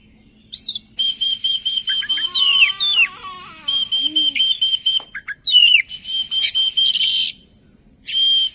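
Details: Oriental magpie-robin song used as a lure to prompt other birds to sing: long buzzy whistled phrases with rapid stuttering notes and downslurs, separated by brief clicks, over a faint low steady hum.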